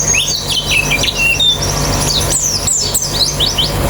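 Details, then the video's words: Several white-eyes sing together in a colony recording intended to prompt quick, open-beaked singing: thin, high slurred whistles and scratchy chirps overlap busily above a steady low background hum. "Terapi Pleci Cepat Ngalas Buka Paruh"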